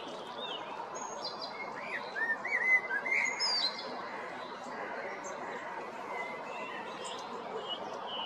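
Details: Zagreb blackbird, a male recorded at Jarun or Prečko in April or May 2022: a burst of mellow whistled notes in the middle, with other small birds chirping high and a constant background hiss.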